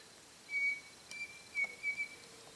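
A Pavonine cuckoo gives four clear, level whistled notes, the first longer, the last three closer together, over a quiet background with a faint click.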